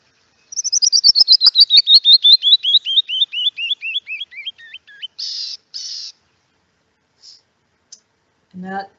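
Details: Canyon wren (Catherpes mexicanus) song, a bird of the Santa Barbara foothills: a cascade of about two dozen clear whistled notes tumbles downward and slows like a bouncing ball, ending in two buzzy rasps; a voice briefly follows.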